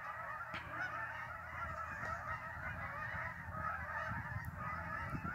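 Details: A large flock of migrating geese at Lake Champlain, northern New York, honking constantly in a thick overlapping chorus of nasal calls, with some low background rumble.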